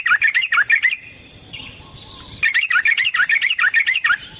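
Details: Yellow-vented bulbul in a long provoking fighting song: rapid bubbly warbled notes in a dense burst, a quiet pause with a faint rising whistle, then another fast run of lively chattering phrases.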